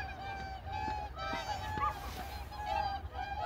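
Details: Seven whooper swans landing on a reservoir after flight give loud, brassy, trumpeting honks, several birds overlapping in short bursts, over a low rumble of wind or water.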